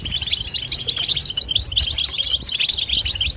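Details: Nonstop goldfinch twitter, a crowded rapid chatter of bright high chirps and jingling trills running together without breaks over a faint low background rumble.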